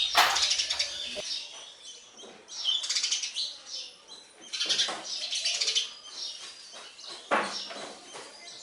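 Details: Baby sparrows calling while a parent feeds them: scattered bursts of shrill, rapid chirps, some sharp and loud, separated by softer stretches.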